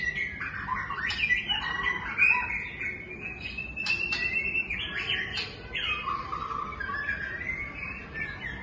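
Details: Long, flowing song of a White-rumped shama: sustained whistles, rapid slurred phrases and scattered sharp ticks, varying in pitch throughout.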